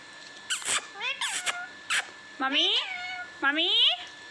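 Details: Pet talking parrot indoors producing a series of clear, tonal, speech-like calls with rising, bending whistled notes and short harsh syllables, over a steady electrical hum in a room.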